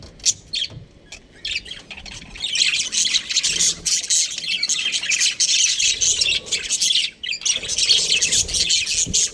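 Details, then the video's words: Breeding pair of budgerigars chattering in dense, scratchy high-pitched chirps and squawks, quiet for the first second and a half, then nearly continuous warbling with brief pauses. "Amazing budgie chirping sounds | budgies breeding pair"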